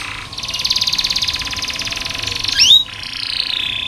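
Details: Tutor song for training canaries to sing: a sustained, rapid buzzing trill lasting over two seconds, a sharp rising whistle, then a softer continuing trill, with steady background hum.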